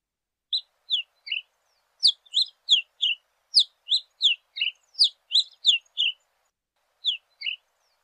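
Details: Yellow-billed cardinal singing: quick bursts of short, sharp descending chirps, grouped in tight clusters with brief pauses between them, bright and high-pitched against a silent background.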